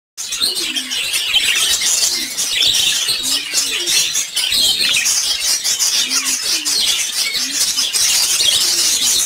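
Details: Colorful lovebirds kept together in a cage, chirping as a flock: a dense, unbroken wash of shrill, high twittering chirps that overlap throughout. Short, faint low hooting notes recur every second or two beneath the chatter.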